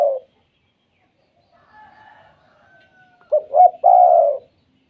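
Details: Spotted dove 'kuk 2' call used to prompt other doves to call; the tail of one coo opens, faint soft hums follow, then a full phrase of two quick notes leading into a drawn-out, gently descending coo.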